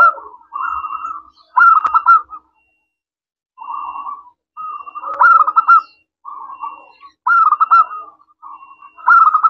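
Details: Lively local zebra dove with a clear, crystal-toned voice, recorded as a lure to draw answering doves. Trilled cooing phrases arrive in irregular bursts with silent gaps, over a faint constant background tone.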